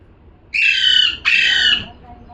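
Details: Parrot calling twice in quick succession: two loud, raspy squawks of roughly half a second each, separated by a short gap, in a quiet indoor setting.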